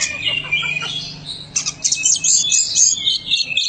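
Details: A champion white-rumped shama (kacer) singing: dense, rapid high chattering and warbled phrases, at first thinner and sliding, then a loud busy burst of mixed twittering notes.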